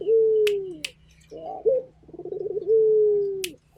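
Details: Local turtle dove cooing actively: a low, husky rolling coo builds into a long, smooth, slowly falling hoot, repeated twice, with sharp clicks and faint high chirps of other birds behind.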